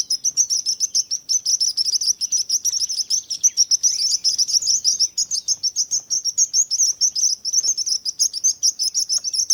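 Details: Birds chirping for calm listening: a dense, sustained chorus of high, quick chirps, many birds overlapping in a rapid, lively, unbroken stream.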